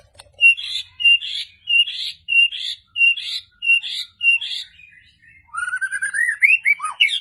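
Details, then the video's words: Medan white-rumped shama singing insistently with sharp 'shots': a crisp two-part whistled phrase repeated seven times at an even pace, followed by quick rising and falling whistled slurs. "murai batu Medan, super ngotot keluarin semua tembakan tajam?!!"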